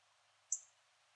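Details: A rare yellow northern cardinal in a backyard in Port Saint Lucie, Florida, gives one sharp, very high metallic chip, over in a split second, with only faint hiss around it.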